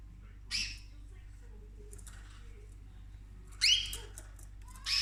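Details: Orchid-eating female pet cockatoo indoors: a softer hoarse squawk, a pause of about three seconds, then a sharp, louder rasping call with a rising ring, and another clipped squawk at the very end.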